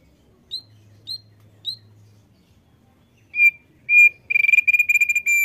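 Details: Male thick-billed white-eye singing often: three thin high chips spaced half a second apart, then longer whistled notes building into a fast stuttering run of rapid repeated notes.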